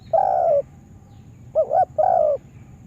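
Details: Spotted dove lure bird used for trapping in a yard: a long level coo, then a full phrase of a quavering double note and another drawn-out coo.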